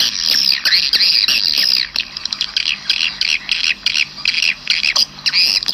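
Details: Swiftlet lure sound played outside swiftlet houses to attract birds: a dense, high, buzzy twittering chatter, unbroken for about two seconds and then in quick bursts with short gaps.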